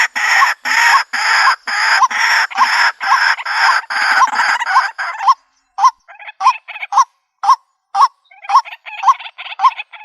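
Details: White-breasted waterhen call played to lure birds into a trap in the countryside: harsh, croaking notes repeated rapidly, about two per second, in an even run that breaks into separate choppy bursts halfway through.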